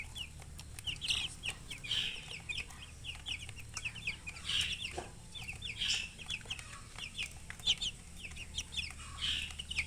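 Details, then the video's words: Chickens chirping, continuous rapid high peeps sliding downward, overlapping from many birds, with louder shrill bursts roughly every one to two seconds and a low background hum. "silly chicken chirping sounds with murgi hen color chicken"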